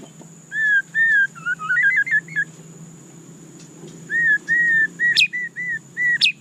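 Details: White-rumped shama singing two phrases of rich whistles: evenly spaced fluted notes leading into a quick rising warble, a pause, then more repeated whistles broken by sharp clicks, with a constant faint high whine.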